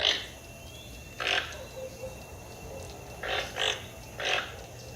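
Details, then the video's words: Toucan giving rasping croaks, single and in a quick pair, spaced irregularly over a steady low background hum. "Som do tucano. Tucano cantando..."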